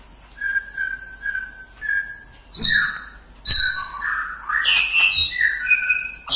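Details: White-rumped shama song used as training material: a run of soft level whistles, then louder bright phrases with sharp attacks, quick rising and falling slurs and rich warbled notes toward the end.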